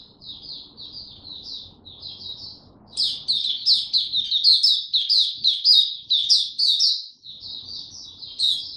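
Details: Young caged white-eye, of the type the owner calls Dagger, recorded in Singapore on 9 February 2022 as its song matures: soft high warbling that swells into a fast, loud, sharply accented run of twittering notes.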